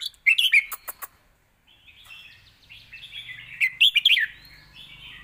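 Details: Red-whiskered bulbul, kept for training young birds, sings a Thai point-scoring competition song: sharp bright chirps, then after a pause a run of warbled, rolling phrases with quick rising and falling notes.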